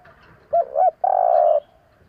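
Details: Spotted dove cooing: two short, soft hooting coos follow one another, then a longer, steady coo is held for about half a second. The background is quiet.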